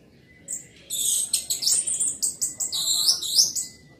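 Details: Orange-headed thrush in loud song: a fast, dense run of very high twittering and scratchy notes, varied and continuous, with faint low background hum.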